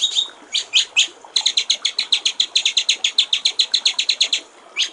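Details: Murai batu, or white-rumped shama, tretekan master song for training songbirds: a few loud separate sharp notes, then a quick even run of about twenty high ticking notes, ending with one more chip.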